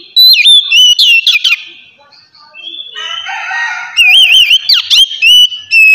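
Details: Relaxed ngeplong song of the Oriental magpie-robin, played to stimulate untrained birds: loud clear whistles with abrupt downward slurs, a softer buzzy middle section, then rapid wavering whistled notes returning strongly.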